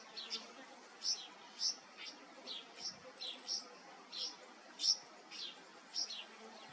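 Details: A young red wattlebird being given water and taught to drink gives short, high, squeaky chirps, roughly two a second and unevenly spaced, over a faint steady background hum.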